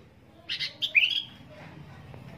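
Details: Sooty-headed bulbul (kutilang) giving one short bubbly phrase of three or four quick chirped notes ending in a sliding squeaky whistle, followed by near quiet.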